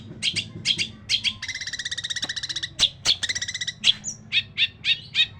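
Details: Cendet, the long-tailed shrike, singing a harsh masteran song of learned imitations: scratchy high notes, then a fast buzzy rattling trill lasting over a second, a second shorter rattle, and more sharp chips, with faint low background hum.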